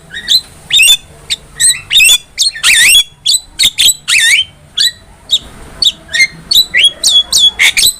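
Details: Black-winged myna, recorded as a master track to teach caged birds, delivers a rapid run of short piercing whistles and rasping screeches, notes bending downward, spaced roughly every third of a second.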